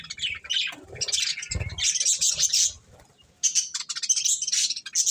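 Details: Budgerigars feeding on corn chatter in high, buzzy, warbling bursts, interrupted by a short quiet spell and low knocking sounds from the birds moving.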